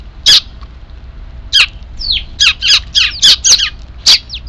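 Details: Young sparrows giving their distinctive chick calls on 3 April 2024, before an evening meal was put out; harsh high chirps, first spaced, then quickening into a run of about seven rapid calls.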